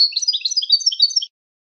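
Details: European goldfinch song used for training birds to sing: a dense, rapid tumble of bright liquid twitters and chirps, varied and unbroken for just over a second, with a clean background.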